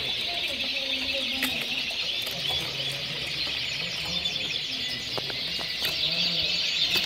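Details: A room of red mosaic canaries from a 2016 breeding season sings in an unbroken chorus of fast, bubbling trills and chattering notes layered over one another, punctuated by sharp clicks and light knocks.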